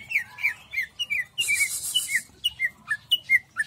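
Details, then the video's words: Greater green leafbird in jamstrok song style: a fast run of short, bright down-slurred chirps and whistled notes, with a brief burst of hiss partway through. "cucak ijo jamstrok"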